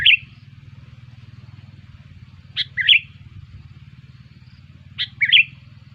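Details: Lure call of the sooty-headed bulbul, used to bring bulbuls in. Three bright phrases, each a sharp chirp falling into a lilting whistle, spaced about two and a half seconds apart over a steady droning hum.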